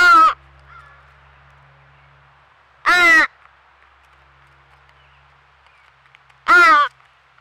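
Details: Baby crow, part of a crow family that took over a squirrel feeder in Nova Scotia, Canada, crying persistently all day. Three long, raspy, drawn-out caws come several seconds apart, with faint background hum between them.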